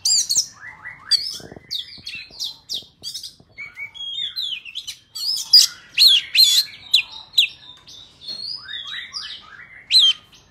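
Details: Oriental magpie-robin forest song for tutoring young birds and for trapping. A lively series of high whistles, trills and descending warbles runs continuously, with a faint tap near the start.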